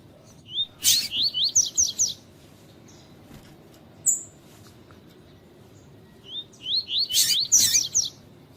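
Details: Double-collared seedeater delivering two tui tui song phrases about six seconds apart, each a rapid string of seven or so upward-slurred whistles, with a lone high call between them. The tutor song is used with female calls to stimulate males.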